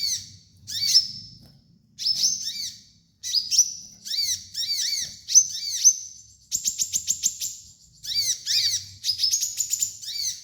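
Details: Sunbird known locally as kolibri ninja, a master for training young birds, sings rapid high twittering phrases. Hooked, chattering notes mix with long level whistles, and there is a fast trill near the middle.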